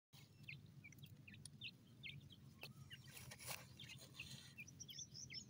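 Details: Francolin chicks feeding in a forest: many short high peeps and chirps scattered irregularly over the whole stretch, with sharp clicks and rustling beneath and a steady low hum throughout.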